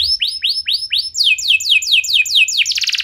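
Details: Canary song used as a lure to set other canaries singing: a run of rising-then-falling whistled sweeps repeated about twice a second, shifting to faster descending slurred notes, ending in a dense buzzy trill.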